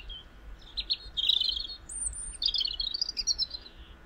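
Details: European robin singing in spring: high, tumbling warbled phrases broken by a thin, sustained very high whistle, then another quick liquid run of notes; faint low background rumble.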